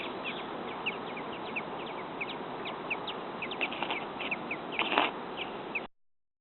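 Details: Robin nestlings a few days old call from a backyard nest while waiting to be fed. A run of high, thin chirps builds to a brief louder cluster, then the sound cuts off into silence.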